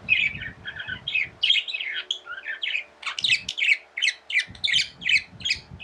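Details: Chattering pet budgerigars, tame birds, give a rapid stream of buzzy, squeaky notes, almost three per second, broken by a short lull near the middle, over faint low background hum.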